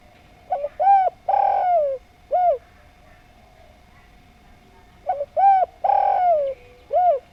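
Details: Javanese spotted dove giving two full song phrases: a pair of soft short notes, a stronger coo, a long falling drawn-out coo and a single closing coo, over a faint steady hum.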